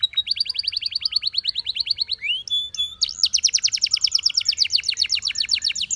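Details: Belgian canary delivering a steady rapid trill of repeated rising whistles, a short twittering break, then an even quicker run of bright notes.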